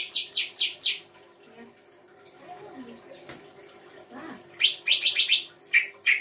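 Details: Songbird in a full song-fill recording from the Indonesian bird-song hobby: four quick high chirps, a quiet gap with soft low murmurs, then a dense cluster of rapid piercing chirps and two lower notes.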